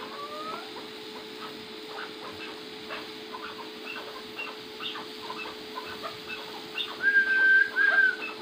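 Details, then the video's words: A First Cross Maskati chukar partridge repeats short clucking notes in a fairly regular series, followed by a person's two drawn-out whistles and Turkish speech calling it to come; a machine hum continues beneath. "چکور کی مستی"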